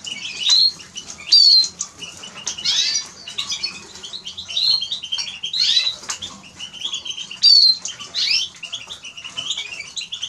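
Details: High-pitched twittering song of the Eurasian siskin, with descending whistles and buzzy trills repeated in short bursts, bright and continuous throughout.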